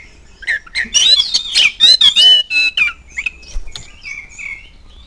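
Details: Oriental magpie-robin lure song for making kept birds respond: a fast tumbling series of bright whistled and buzzy notes building to a loud middle section, then fading into softer trailing whistles.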